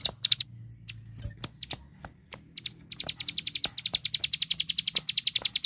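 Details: Ciblek sawah prinia with a 'tembakan' song used to master big songbirds: scattered chirps and clicks at first, then a steady, quickening train of high notes, nearly four per second.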